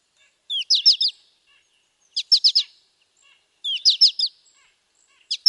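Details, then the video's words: American goldfinch in Wisconsin repeating brief, high, chippy phrases of a slurred note and several quick downslurred notes, roughly every one and a half seconds, with faint soft sounds in the background. "Wisconsin Bird Sounds - American Goldfinch"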